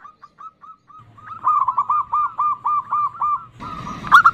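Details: Female zebra dove calling the male with the nutut sound: soft, faint arched notes at first, then a quick run of louder, stuttering cooing notes, about three per second, ending in a burst of rough noise.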